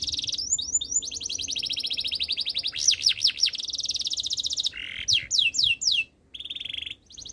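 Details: Canary song: long buzzy trills of rapid high notes, a few downward-swooping whistled syllables, a lower rolling trill, then brief pauses between bright repeated phrases.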